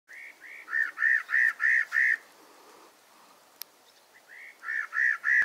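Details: Spot-breasted parrotbill (Paradoxornis guttaticollis) call: a quick run of six clear, slightly arched mid-pitched notes, then after a pause a second run of four.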